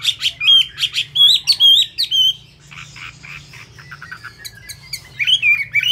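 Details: Chinese hwamei, kept bird with wet plumage, opens with loud looping whistles and quick chirps, drops to soft twittering mid-phrase, then returns to strong wavering whistles.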